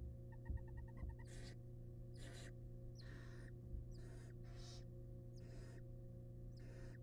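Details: Wild barn owls at a monitored nest box as the male delivers a huge rat to his family: a quick run of short, even chirps, then a series of harsh, breathy hissing screeches about a second apart, over a steady low hum.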